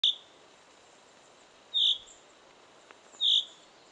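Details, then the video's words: A small bird singing in a pine forest gives a high, clear whistled note, repeated about every one and a half seconds over a quiet forest background. "Птичка поет"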